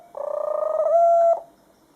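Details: Tame white dove, hand-raised after falling from the nest and kept as a pet, making a steady, drawn-out cooing note with a slight throb that swells and then stops sharply.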